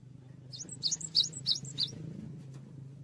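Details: Cinereous tit in active song for training other songbirds: five bright, high two-part chirps about every third of a second, with steady low background noise throughout.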